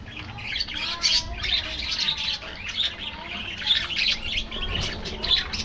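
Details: Budgies in a colony aviary: raspy, chattering chirps in quick bursts from several birds, with a few clearer squeaky notes popping out above the steady twitter.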